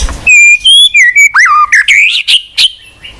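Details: White-rumped shama song, a recording used as a lure to prompt a silent shama to sing: a string of clear, sustained whistles at varied pitches, some sliding down, ending in sharper bright notes. The background is quiet.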